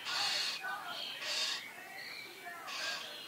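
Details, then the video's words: Starling young being fed in a garden in the Eifel: loud rasping, hissy begging bursts about a second apart, mixed with softer chattering and squeaks. "Star füttert Junge im Garten"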